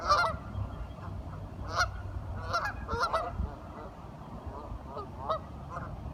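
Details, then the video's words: Ducks talking in short, scattered nasal calls. A few louder honks come early, then softer ones, over a constant low hum. "Duck Sounds - Curious ducks talking"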